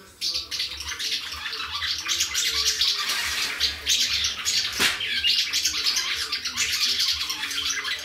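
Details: Several swallows twittering and chirping at Gierałtowiec, Poland, on 6 June 2019: busy, high, rapid, irregular chatter forming a steady wash over a faint low hum.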